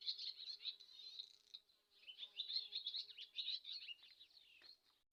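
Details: Swallow giving a continuous, rapid twitter of high squeaky notes and trills, briefly easing before resuming, with a short buzzy rattle near the end and a faint low hum underneath.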